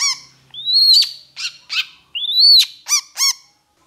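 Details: Agitated Long-tailed shrike alternates long rising whistles with loud, harsh nasal notes, several given in quick pairs, against a silent background.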